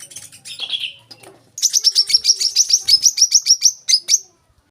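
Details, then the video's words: Olive-backed sunbird singing, a masteran recording for training young cage birds: a short lower warbled phrase, then a fast, high, metallic trill of evenly repeated notes lasting nearly three seconds. "kolibri kelapa | wiceh | manggar | putar suara ini untuk burung bahan agar rajin bunyi"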